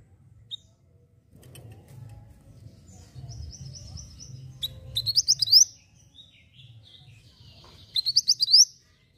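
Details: Javan white-eye (mantenan) singing vigorously as a tutor recording: scattered soft high notes, then two brief bursts of rapid rising chirps, all over a low rumbling background.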